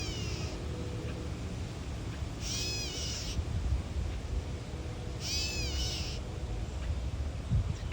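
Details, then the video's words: Gray catbird on a boardwalk protecting its nest, tail fanned out, with chirps from its mate or a possible intruder: two bursts of sharp, scratchy descending notes against steady low background rumble. "Catbird protects nest"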